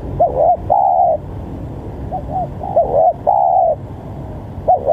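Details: Spotted dove calling very actively, used to provoke rival doves into calling: low cooing in a repeated pattern, a short double note followed by a longer drawn-out coo, heard twice with the start of a third, over steady background noise.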